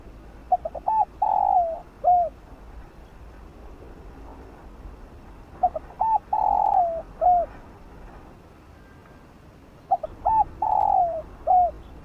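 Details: Spotted dove with the 'giọng đồng' field-style voice, cooing to rouse decoy birds: three evenly spaced phrases, each of short quick coos rising into a long falling coo and a final curved note.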